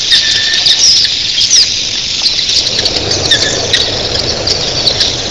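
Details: A huge early-morning flock of red-billed queleas, thousands strong, gives a shrill, constant twittering roar with occasional brief whistled notes, backed by a low whooshing of wings.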